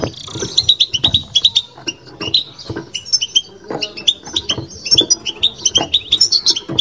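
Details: European goldfinch kept in a cage, delivering bitbita song as fast runs of high, tinkling chirps and twitters with a few buzzy notes, and muffled low taps beneath.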